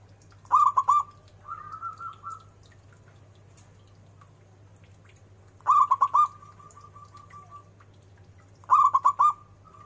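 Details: Local zebra dove singing actively with a big voice and melodic turns: three phrases, each a loud burst of rapid clipped coos running into a long, softer held note, spaced about three seconds apart.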